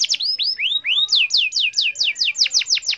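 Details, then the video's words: Canary lure song for silent canaries: slurred rising and falling whistles, then a steady row of bright downward-sweeping notes, about four per second. "Pancing kenari dengan ini dijamin kenari bisu ikut gacor"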